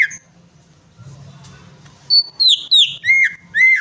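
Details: Greater green leafbird song meant to prompt a silent bird: quiet at first, then a quick run of loud whistled notes dropping step by step from high to lower pitch, ending in two ringing, flicked whistles.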